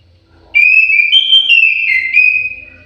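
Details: Orange-headed thrush in an aviary delivering a clear whistled song phrase, bright and slightly trilled. It moves up a step, drops, then rises again before ending. The setting is quiet and enclosed.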